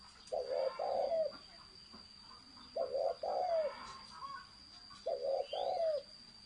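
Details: Three evenly spaced phrases of spotted dove thổ sấm cooing, each a quick double coo into a longer falling note, repeated roughly every two and a half seconds over a steady high hum.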